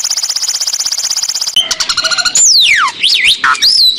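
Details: Asian pied starling song likened to a police siren: a fast, even run of high pulsed notes, then loud whistles sweeping steeply down and up in siren-like swoops mixed with harsh chattering.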